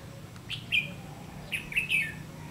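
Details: Red-whiskered bulbul at a decoy trap, 30 May 2016; two short, lively phrases of chattering, descending whistled notes in quick succession over a faint, steady rumble.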